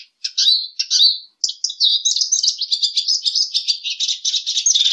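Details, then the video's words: Lesser goldfinch (Spinus psaltria) giving a continuous high, buzzy warbling twitter of rapid slurred notes, louder and unbroken after a short pause near the start. "Jilguero Aliblanco Canto - Lesser Goldfinch Song - Lesser Goldfinch Call -Spinus Psaltria"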